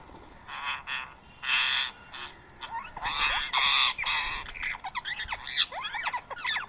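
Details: Indian ringneck parrots fighting, with harsh, raspy squawks in repeated bursts that give way to rapid, sharp, rising and falling chattering notes near the end.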